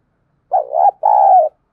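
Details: Spotted dove decoy calling so other birds coo. Two clear, mellow coo phrases are heard, the first undulating and the second drawn out and steady, in otherwise quiet surroundings.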